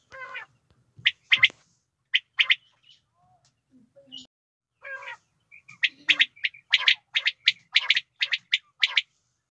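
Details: Female quail giving harsh, scratchy clipped notes, at first scattered and broken by pauses, then running into a rapid, fairly regular series of sharp chattering calls near the end.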